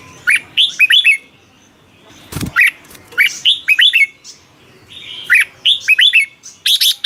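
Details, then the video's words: Caged Red-whiskered bulbul from Thailand, song played to excite other caged birds, a bold 'double' style: short phrases of bright, bubbly whistled notes rising and falling, repeated in bursts about every two seconds, with one brief thud. "เสียงนกกรงหัวจุก สำหรับต่อ หรือ เปิดให้นกคึก เสียงเพราะๆ"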